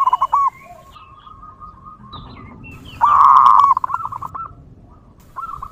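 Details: Zebra dove singing in the wild, a local bird used to attract other zebra doves: brief cooing notes, then a long faint even tone and a loud, dense burst of trilled cooing.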